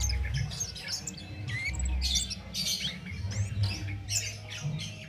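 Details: Cit keres flowerpecker in full, unceasing song, kept as a master recording for songbird training: bursts of sharp, high, quickly sliding chirps in irregular clusters, with constant low rumbling background noise.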